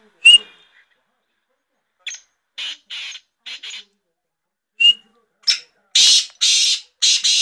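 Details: A six-month-old captive black francolin that began calling at five months gives a thin whistled note, then a series of harsh, scratchy grating bursts, about two per second, growing louder toward the end.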